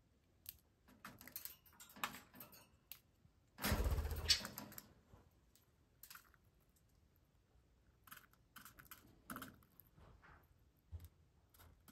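Irregular dry clicks and tapping like typing, with one louder rustling, clattering burst partway through, in a quiet indoor room.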